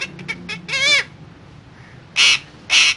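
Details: Talking parrot uttering a few soft clicks, then a drawn-out wavering nasal syllable, a pause, and two loud harsh screechy squawks close together.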